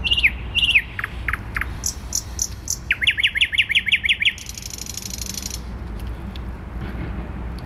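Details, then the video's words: Thrush nightingale song in Warsaw city centre, 12 May 2020: slurred whistled notes, a run of rapid identical clicking notes, then a harsh buzzing rattle, set against a constant low hum of urban traffic. "Słowik Rdzawy śpiewa w centrum Warszawy"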